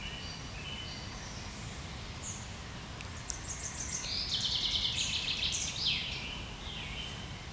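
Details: Common chaffinch singing in the treetops on 1 July 2020: scattered high chirps, then a fast trill around 4.5 seconds ending in a short flourish, over steady low background noise.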